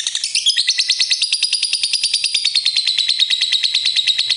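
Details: Lovebird in ngekek style: a long unbroken series of rapid, shrill, buzzy chattering notes, about three per second, continuing without pause.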